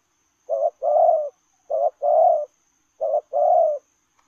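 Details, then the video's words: Spotted dove giving lèo rồng style coos as it runs, three evenly spaced pairs, each a brief hoot followed by a longer, fuller drawn-out coo, roughly one pair every 1.3 seconds, no other sounds. "Gù Lèo rồng vừa chạy vừa gù"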